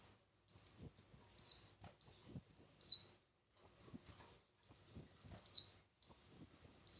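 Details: Competitive song of a red-whiskered bulbul, five similar arched whistled phrases, each rising then dropping, repeated about every one and a half seconds in a quiet setting.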